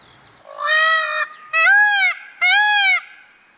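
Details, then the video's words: Loud mating calls from a male blue Indian peafowl before its courtship dance: three strong, rich, honking screams of about half a second each in quick succession, the first flatter and the last two slightly arched. "Peacock Dance 1:45 मोर नृत्य बगैर संगीत Screams PURE NATURE SOUND"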